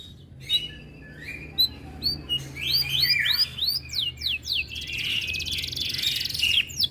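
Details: Canary in breeding condition, said to grow aggressive on hearing other birds, sings a high varied song of rising whistled arcs, downslurred notes and buzzy trills after a quiet opening, with a low steady hum beneath.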